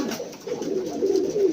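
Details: Racing pigeon cooing indoors in a small room: a low, soft, throaty coo that rises slightly and swells toward the end of a short phrase.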